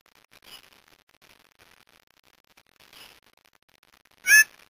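Mouse-colored Antshrike giving two faint, harsh notes about two and a half seconds apart, then one loud, rasping, nasal note at the end.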